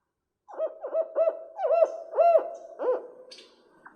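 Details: Fulvous owl call, Guatemala: a rhythmic series of about eight deep, barking hoots, several with upslurred-then-falling inflections, much like a Barred Owl.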